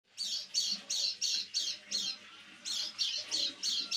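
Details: Caged white-eye giving its strange call, heard every evening as night falls: harsh, buzzy rasping notes about three per second, roughly eleven in all, with a brief gap midway.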